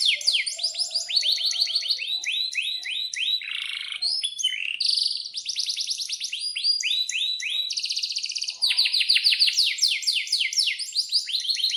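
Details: Canary singing a long rolling song in a breeding mood, meant to prompt silent or young canaries to sing: continuous fast trills of sweeping whistled syllables, with repeated series that change speed and pitch throughout, loud and unbroken.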